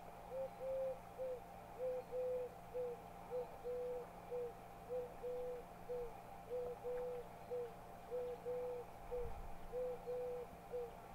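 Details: Little crake at Kerkini Lake in August 2019, giving short, even, mid-pitched notes about twice a second throughout over a steady background hum; finding: Little Crake.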